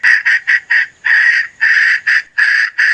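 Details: Domestic hen giving a steady series of short, harsh, nasal notes, about nine bursts in three seconds, some clipped and some drawn out, in a quiet setting.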